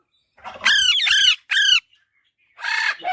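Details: Baby Alexandrine parakeet calling: two long, harsh, harmonic squawks, then a short one, a pause, and a final rasping squawk, loud and close in a quiet setting.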